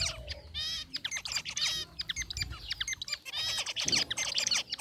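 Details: Caged zebra finches relaxing in an aviary, gray and white birds together, chatter in loud, closely spaced nasal chirps and short trumpet-like notes, many overlapping, almost continuous throughout.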